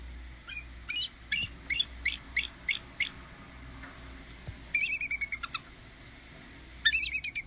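A Bald Eagle gives three bursts of thin, high, chittering notes, each a quick series of six to eight squeaky pips, over a faint background hiss.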